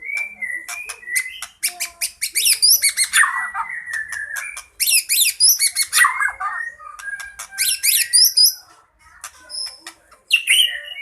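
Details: White-rumped shama in fighting song, full of fills, played to lure birds: phrases of clear whistles mixed with harsh, buzzy high bursts and rich warbling, broken by short silences.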